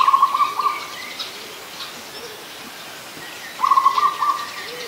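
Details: Adult zebra dove in Ubon Ratchathani, Thailand, recorded 24 December 2020, giving two rapid staccato bursts of short, purring coo notes at steady mid pitch, about three seconds apart, with faint high chirps of other birds behind.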